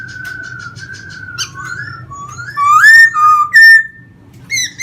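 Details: Caged laughingthrush in Vietnam, singing and dancing with fanned plumage; soft level whistles and quiet ticks build into loud rising and falling whistled phrases.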